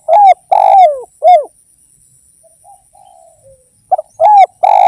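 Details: Derkuku, the spotted dove of Indonesia, in lively song. Three strong, husky coos with rising-then-falling notes, a faint drawn-out softer coo in between, then the next phrase begins. The background is clean.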